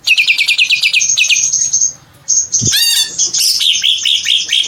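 A greater green leafbird sings a fast, high string of chattering notes, then a long whistled phrase and varied warbling. A sharp click-like burst cuts in midway.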